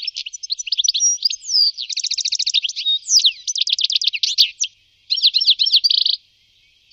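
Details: In Wittlich in 2018 a European goldfinch sings bright, liquid twittering phrases mixing rapid trills, slurred whistles and a short buzzy ending, with brief pauses between bursts.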